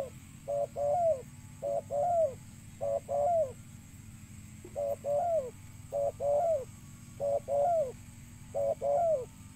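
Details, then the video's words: Spotted dove call meant to lure birds: series of paired coos, a brief note then a longer falling coo, repeated about every 1.2 seconds, over a faint steady hum. "burung tekukur suara mp3 💯 ampuh dan jernih untuk memanggil burung"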